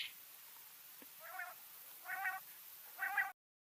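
A male quail gives three short, nasal, slightly buzzy calls, each under half a second and spaced about a second apart, over a faint background hiss.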